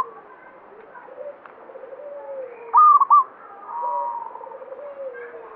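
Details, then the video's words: Zebra dove, local type, with banyumili song linked by belief to prosperity; one loud clipped three-note high coo in the middle, amid softer rolling trills and lower cooing from other birds. "Perkutut lokal banyumili suara gacor"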